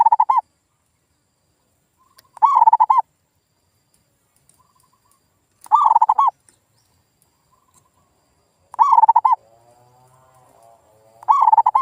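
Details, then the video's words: Zebra dove lure recording, used to make local doves that stopped singing respond. Five rapid, stuttering coo phrases recur every two to three seconds, with faint answering coos and a low murmur between two of them. "SUARA PIKAT PERKUTUT GACOR"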